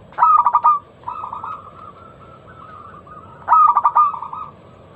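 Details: Local zebra dove lure song with a loud, clear voice, used to get other doves calling: a pulsed stuttering burst, then a long soft wavering coo, then another bright pulsed burst.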